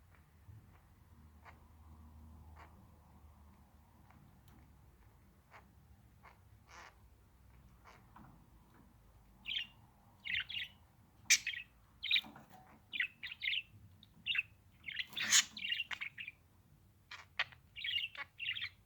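A budgerigar gives bursts of sharp, scratchy chirps after a quiet start with low background hum.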